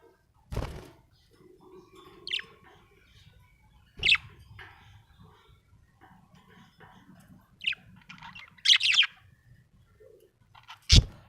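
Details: Happy budgerigar chirping: scattered short, high, scratchy chirps and a brief chattering burst, broken by several loud knocks or thumps and faint soft background sounds.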